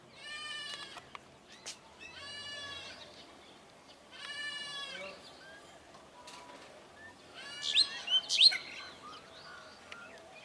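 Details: Brahminy starlings calling in a flock: harsh, nasal, rasping notes with rich harmonics, given in bursts about two seconds apart, then a busier passage of squeaky whistles and chatter from several birds.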